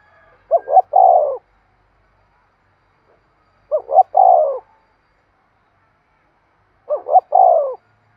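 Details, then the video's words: Spotted dove giving a rousing coo for decoy training: three evenly spaced phrases roughly three seconds apart, each two brief rising hoots and a longer falling note, otherwise quiet. "tiếng cu gáy thúc sung dùng kích bổi tập mồi hiẹu quả nhất"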